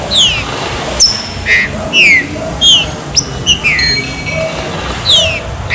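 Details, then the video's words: Chuva serrinha song of a green-winged saltator for warming up a bird: rhythmic series of loud falling whistles roughly twice a second, a few flat whistled tones, over faint constant rumble. "ABRE CANTO CHUVA SERRINHA ESQUENTE SEU TRINCA FERRO"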